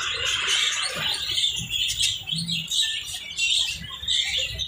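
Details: Lovebirds chirping: dense, overlapping high twittering and squeaky chirps, almost continuous with brief louder bursts, suggesting several birds calling together, plus faint low background rumble.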